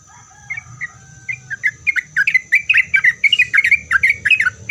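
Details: Sooty-headed bulbul singing a lively song meant to make other bulbuls answer: a few soft opening notes build into a fast run of short, bubbly chirps, with a steady high whine and low rumble behind.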